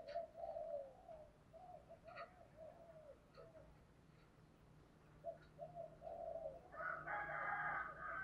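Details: Caged decoy spotted dove cooing to lure wild doves, switching phrases continuously; soft low coos repeated in short bursts, with fainter answering coos and a brighter chattering sound near the end over steady background hiss.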